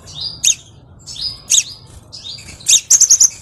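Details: Crimson sunbird song, recorded as a lure for training other birds: thin, high whistled notes that slide downward, separated by sharp ticks, ending in a quick run of four or five bright chirps.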